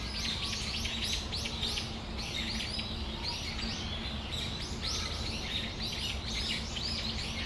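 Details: Brown-eared bulbuls (Ixos amaurotis) in Tamagawadai Park on a December afternoon give a dense chorus of shrill, squeaky chirps, overlapping and repeated without pause over a steady low background hum.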